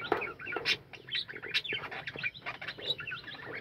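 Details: Captive budgerigar colony calling together: a dense, overlapping chatter of short warbled chirps and squeaky notes, with bright clicks and brief high squeals running throughout.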